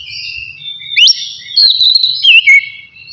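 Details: Oriental magpie-robin, relaxed ngeplong style used to stimulate breeding drive: soft sustained whistle, then a sharp upward sweep into a long held note, ending with a few wavering slurs.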